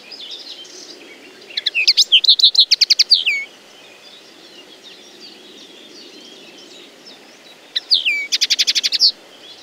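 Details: Common linnet song: two bursts of rapid twittering, mixed with clicky ticking notes and short warbled phrases in quick succession, the first lasting about two seconds, the second after a long pause; soft faint chirps and a low steady hiss fill the gaps.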